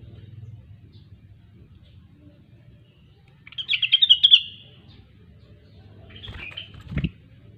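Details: A grey-cheeked bulbul, known as cucak wilis or rengganis, gives a brief fast burst of sharp chattering notes, a pause, then a softer short phrase ending in a click, with long quiet gaps and low hum.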